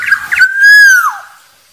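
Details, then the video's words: Black-naped oriole (kepodang) producing a single clear whistle, briefly broken at the start, then held smoothly and sliding downward at the end. "SUARA BURUNG KEPODANG"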